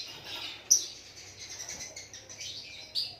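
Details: Continuous high, warbling white-rumped shama song with sharp accented notes at the start and end, over a faint low hum.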